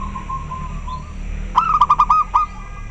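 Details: Local zebra dove responding to another bird: faint, soft cooing notes lead into one loud, rapid phrase of roughly seven clipped coos at a steady mid pitch, against low background rumble.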